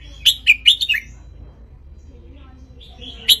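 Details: Red-whiskered bulbul of wild Ratchaburi stock, sunning itself, its song used to tutor young birds and urge them to sing along. A quick run of four lilting, warbled notes, then a pause and a final chirp.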